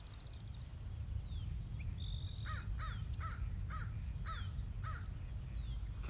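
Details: Crows attacking a pair of white-tailed kites as they pass food during the nesting and fledgling season give about six hoarse, downslurred caws in quick succession, with thin high whistled notes around them over a steady low rumble.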